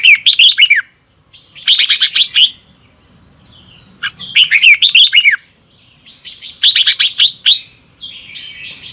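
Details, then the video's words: Red-whiskered bulbul singing in the morning in the double-twist style, a lure recording for training birds: four energetic phrases of clustered scratchy notes and curling whistles, separated by one- to two-second silences. "Luyện chào mào hót sáng 2022 - Hót hay nhanh căng lửa | Ép bổi Giọng xoắn kép 6789"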